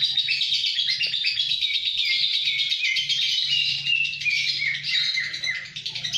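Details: A lovebird recorded in Kedungadem, Bojonegoro, sings a continuous high, scratchy chatter of fast twittering notes that run on without pause over a faint low hum.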